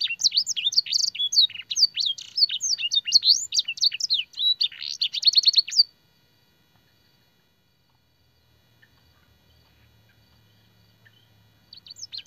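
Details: Canary master song for training, filled with blackthroat and sanger phrases: about six seconds of rapid, bright twittering and sweeping notes ending in a buzzy trill, then near silence before the song resumes briefly.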